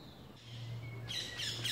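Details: Eurasian nuthatch calling at La Poudrerie on 26 May 2018, a parent busy with newly hatched young after an attack: a thin, high whistle sliding downward, then a quick burst of sharp, scratchy chirps, over a low hum.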